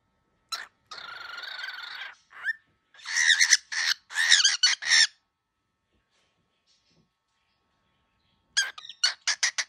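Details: Very angry baby cockatiel giving harsh, raspy, hissing squawks in bursts: one long grating screech, then a run of rapid rough squawks, a silent pause, and a final series of short, sharp, grating notes.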